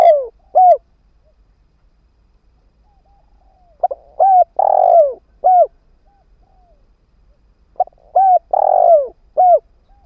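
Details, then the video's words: Decoy spotted dove, caged on the ground, cooing to attract wild doves: the end of one phrase, then two full phrases of short notes around a long falling coo, roughly four seconds apart. "Tiếng chim cu mồi đất kích bổi hiệu quả"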